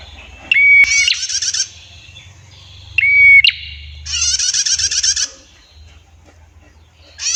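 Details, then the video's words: Clear-voiced female prinia, singing actively, repeats a pattern twice: a pure level whistle with sharp upward chips, then a dense buzzy rattling trill about a second long, over a steady low hum. "PRENJAK GACOR - MASTERAN BETINA, SUARA JERNIH, NGETIR PANJANG"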